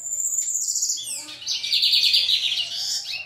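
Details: Lined seedeater in brown plumage singing a fast, buzzy, high trill that begins as a thin sustained note, then breaks into a rapid rattling series of chirps, continuous for over three seconds.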